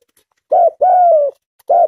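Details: Tame spotted dove cooing: a short low hoarse coo, then a longer drawn-out coo sliding slightly downward, and another brief coo, with quiet pauses between.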